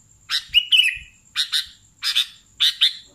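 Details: Sooty-headed bulbul singing vigorously: paired sharp chirps with one drawn-out slurred whistle at the start, the pairs spaced about half a second apart. A faint steady high tone runs behind them.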